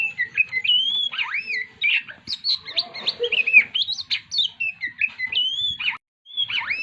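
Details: Oriental magpie-robin singing while stressed: a fluid run of clear whistled notes, arching slurs and rapid chips, with a short break near the end and a quiet low rumble underneath.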